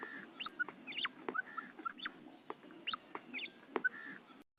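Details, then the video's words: Calls of a female quail, brief whistled notes and quick downward-sliding chirps at uneven intervals, over a steady low background murmur, ending abruptly. "FEMALE BATAIR SOUND / مادہ بٹیر کی آواز"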